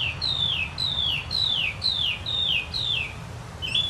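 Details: A Northern mockingbird (Mimus polyglottos), heard just before the summer solstice, repeats one clear, downslurred whistle six times, about twice a second, then switches to a short rising note, over a low hum.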